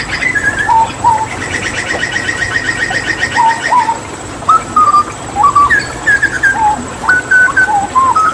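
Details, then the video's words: Papuan hooded butcherbird in a tutoring recording, with a fast rattling trill of repeated notes followed by a run of fluted whistles. The notes step up and down between low and higher pitches, each short and pure. "Masteran Tembakan JAGAL PAPUA gacor"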